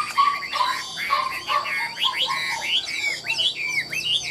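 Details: Caged Chinese hwamei sold as a singing bird, praised for its lively warbling delivery; loud, varied whistled phrases, rising and falling slurs and quick trills run on without a break.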